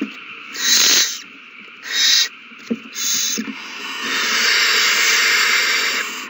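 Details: Owls at their nest during a feeding frenzy over a mouse, recorded 21 March 2020. Rasping, hissy bursts come first, then blur into one long continuous hiss lasting several seconds.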